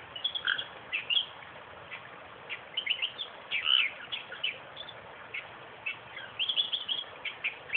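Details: Western reed warbler in a suburban park 20 km south of Perth, singing a rambling, chattering song of scratchy, grating notes and brief whistled slurs in uneven bursts, with a steady low background hiss.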